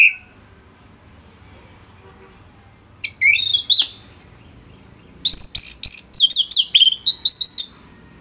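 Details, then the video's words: Orange-headed thrush in dense, continuous song, played to train other songbirds. A short burst of sharp whistled notes opens after a quiet start. A longer rush of rapid, varied, high whistles and trills follows, with faint background murmur. "ANIS MERAH Gacor Suara Rapet Bagus Untuk Memaster Burung Punglor"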